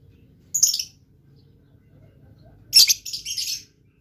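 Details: Actively singing blue lovebird gives one shrill buzzy chirp, then after a two-second pause a denser cluster of harsh high chirps, with a steady low hum between them.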